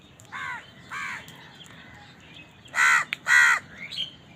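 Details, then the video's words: House crow calling while feeding: two softer, distant caws followed after a pause by two loud, harsh, close caws. "Crow Bird Eating Scenes | Crow bird crowing sound part 88 | Bird Chirping Sound | Crow ki awaz"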